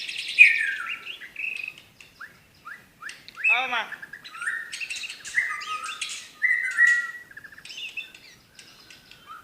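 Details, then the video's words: 'Tembakan' song of a white-rumped shama from Medan: varied loud whistles, quick chips, and a fast descending rattle-like series. Phrases come in irregular bursts with short pauses between them. "tembakan burung murai batu medan"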